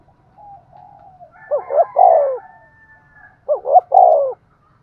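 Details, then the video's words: Decoy spotted dove giving an energetic Thúc Gù coo meant to lure wild doves: a soft drawn-out lead-in coo, then two strong phrases, each two clipped notes and a longer hoarse falling coo, about two seconds apart. "Tiếng chim cu gáy Thúc Gù bài bản rất sung và hay, bổi nghe nhanh về cội"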